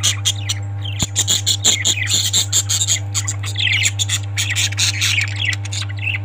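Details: A dense, continuous chorus of parrot chatter, with rapid overlapping scratchy chirps and squawks from several birds. A low hum sounds beneath.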